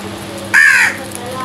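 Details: Crow fighting over food gives a single harsh, slightly arched caw lasting under half a second, with faint background hum.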